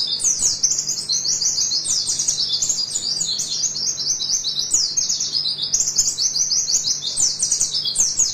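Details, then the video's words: High, hurried twittering from an oriental white-eye, a 'nembak' tutor song for training birds, with continuous zigzag chirps and sweeping trills filling the whole stretch over a faint low hum. "Masteran Pleci nembak bahaya"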